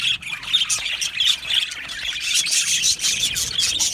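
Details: Flock of budgies kept in an aviary, Australian parakeets calling: shrill squawks and quick chirps overlapping in a constant high-pitched babble, with a louder burst near the start.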